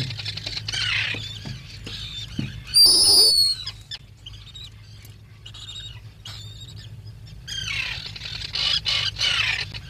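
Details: Black guillemot at its breeding nest burrow, watched by a burrow camera: scattered high squeaky notes, then one loud drawn-out piercing whistle, later a rapid run of thin whistled peeps, with a faint low hum throughout.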